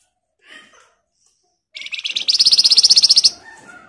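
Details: A scarlet minivet, locally flamboyan, delivers an emotional, tightly packed nyerecet song meant as a lure for other birds to answer: a short chip, then an accelerating run of bright, very high notes forming a steady trill of about fifteen beats.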